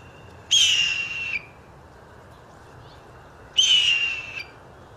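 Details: A Blue Jay gives two loud, raspy, slightly descending screams, each under a second and about three seconds apart, mimicking a Red-tailed Hawk almost identically; woodpeckers and crows in the background.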